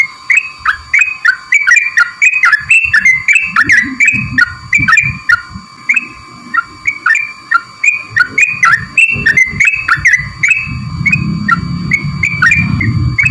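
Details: Sooty-headed bulbul used as a lure, a sluggish singer: rapid bright chirps, each dropping in pitch, repeated about twice a second over steady high electronic tones and low rumbling background noise.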